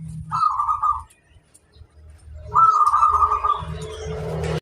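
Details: ['Singing local zebra dove used to encourage other doves to sing: a short trilled coo phrase, a pause, then a longer rolling phrase, over a steady low engine-like rumble.']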